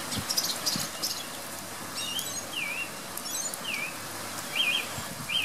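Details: A thrush sings outside a bedroom window at 7am in pouring rain: short clear whistled phrases, some dipping then rising, spaced a second or so apart over a steady hiss of heavy rain.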